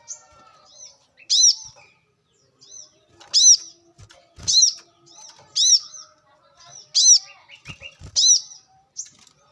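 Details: Brown-throated sunbird, wild, recorded in nature: sharp, arched high chirps about every 1.2 seconds, each followed by softer twittering notes, with faint distant birds between.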